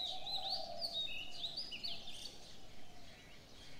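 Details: Birds in the morning: bright whistled chirps and quick upward and downward slurs from several birds, over a steady low hum and a soft lower cooing band.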